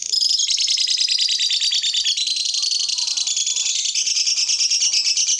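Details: Lovebird song meant to prompt other lovebirds to sing along: a dense, unbroken, high, scratchy chatter of rapid notes with slight rises and falls throughout.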